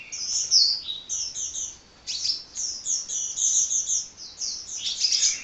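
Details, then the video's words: Hummingbird chattering nonstop in a long stream of thin, high chirps and quick twittering phrases, briefly pausing near the middle, with only faint background hiss. "Kicau Burung Kolibri Ngocehnya Ngedyan Ra Leren Leren"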